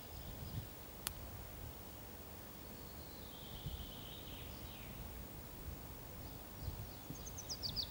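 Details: Willow warbler (Phylloscopus trochilus) spring song: a soft, sweet phrase sliding gently down the scale, a few high thin notes after, over steady low rumble and rustling.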